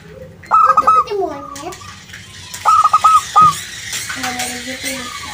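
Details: A zebra dove of a local strain sings to coax other birds into answering: two separate runs of three to four rapid, even coos. Sliding, lower tonal voices fill the gaps between them.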